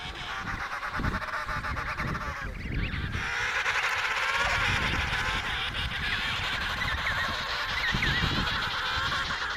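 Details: Dense chorus of emperor penguins calling at the Riiser Larsen colony in Antarctica, November 2010; many overlapping buzzy, harmonic trumpeting calls merge into a continuous din over low wind noise.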